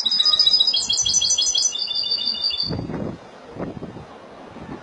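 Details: Spanish goldfinch song, Malaga style, already underway: rapid high twittering trill that settles into a sustained ringing note, followed by low thumps and rustling.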